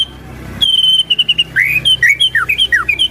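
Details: White-rumped shama singing to prompt other shamas, a quick series of short whistled notes, some rising and some falling, over steady low background hum.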